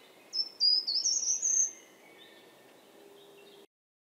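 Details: A Short-toed Treecreeper singing in winter gives one brief, high, thin phrase of a few rising whistled notes over about a second and a half, against quiet background hiss.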